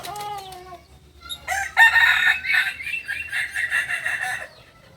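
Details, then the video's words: Multi-tiered crow of a Kokok Balenggek rooster from Solok, West Sumatra, Indonesia, a songster village chicken breed: the end of one crow, then a long crow of many short stepped tiers lasting about three seconds. "Ayam kukuak balenggek ayam asli solok sumbar"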